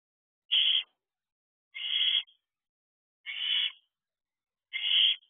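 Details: Owlet in a nest box at 4:10 am on 10 July 2023, in week 13 of age during a period of territorial behaviour, gives four harsh, raspy screeches, each about half a second long and spaced about one and a half seconds apart, against silence.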